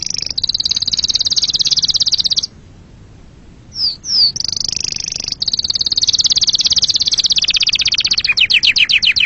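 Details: Canary singing a long, very high, rapid rolling trill, broken by a short pause with two quick downslurred whistles, then resuming the fast trill and finishing with a slightly lower, slower pulsed series.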